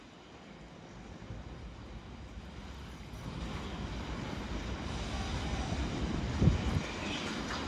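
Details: Airplane engine roar builds steadily louder, with a brief thump near the end and no animal calls heard.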